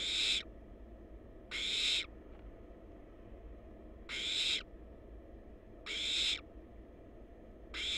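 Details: Young wild barn owls at their nest box, recorded by live cam: a series of five raspy, breathy screeches, each about half a second, repeated every second and a half to two seconds over steady hum.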